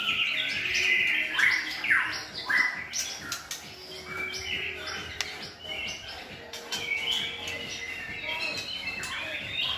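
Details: White-rumped shama tutor song, used to teach a transitioning shama more varied singing; clear whistled notes and quick downslurs over a steady low hum, phrases broken by short pauses.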